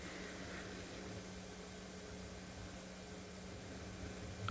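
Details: Only a steady broadband hiss with a low hum is heard, like a fan or vehicle engine. No animal voices can be picked out.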